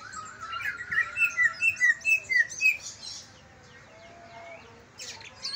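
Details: Greater green leafbird, Kalimantan versus Banyuwangi type, sung to stimulate reluctant leafbirds: a run of about eight clear, arched whistled notes repeated evenly over two seconds, then quieter background twittering and a brief burst near the end.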